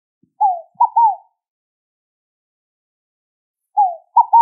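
A Scaled Dove gives soft, hollow three-note cooing phrases: a falling note, then two quick ones, repeated every three and a half seconds against silence.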